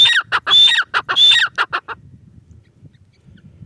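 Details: Teetar, the grey francolin, calling: several loud, harsh phrases with a high whistled element and falling rasping notes come in quick succession, then stop, leaving only faint low background noise.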